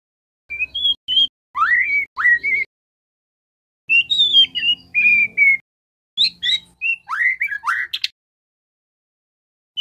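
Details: Lure song of a white-rumped shama meant to get caged birds singing: sweet whistles and sharply upswept notes strung into quick phrases, a faint low hum beneath some of them, with pauses of about a second between bursts.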